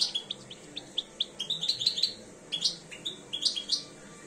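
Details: Two-year-old European goldfinch starting to come into breeding condition sings a lively string of short, liquid, high-pitched chirps and twitters, delivered unevenly in two loose phrases.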